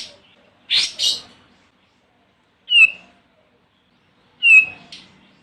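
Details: Lure recording of an olive-winged bulbul calling a rival: a double harsh rasping burst, then two separate short whistled notes that dip downward, each ringing with faint overtones, set apart by quiet gaps.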